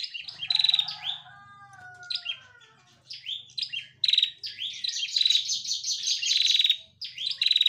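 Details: A female bar-winged prinia, used as a lure recording to prompt other birds to sing, gives a run of high, sharp chirps and rapid twittering notes in repeated bursts with brief pauses; faint lower whistles underneath.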